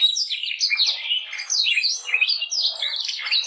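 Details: Short stretch of continuous canary warbling, Gloster or Yorkshire breed, made of quick high twitters and downslurred notes.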